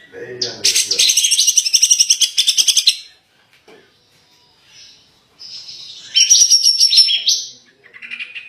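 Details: Grey-cheeked bulbul (cucak jenggot) singing in the 'dor tembakan' style for a tutor recording: a buzzy high rattling burst near three seconds long, a quiet gap, then another bright trilled phrase.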